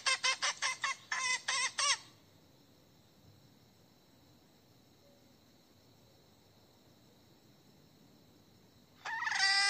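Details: Calling for a rooster, a hen gives a burst of about eight quick raspy squawks, goes quiet for several seconds, then starts calling again.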